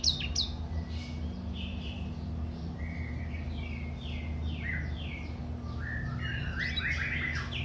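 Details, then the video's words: Canary, described as a very vocal singer, pouring out a continuous string of quick high chirps and short sliding notes, some in fast falling series, over a steady low electrical hum. "Burung Kenari super gacor"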